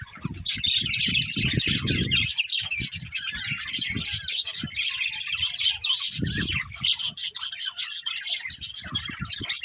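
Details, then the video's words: Budgerigars chirping in a busy flock: continuous high warbling chatter with rapid clicks and squeaks, a few louder whistled notes, and low bumping sounds at the start and again midway. "Cute Budgies Chirping Sounds"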